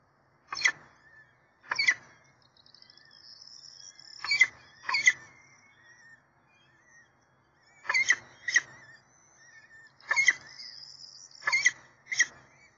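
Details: Peregrine falcons at their nest, recorded on 7 April 2024: harsh, grating calls in short bursts, often in pairs, spread through the recording with quieter thin whining notes between them.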